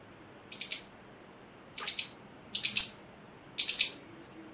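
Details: An 8-week-old male pet celestial (Pacific) parrotlet sings four short, high, scratchy chirp bursts, each made of quick stacked notes, spaced about a second apart against a quiet background.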